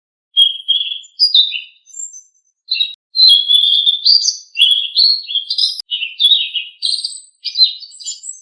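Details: Blue-winged leafbird singing, offered as a training recording to get caged birds singing: a nearly continuous run of rapid, varied whistled phrases that jump between notes, each lasting about half a second, with brief gaps and no other sounds.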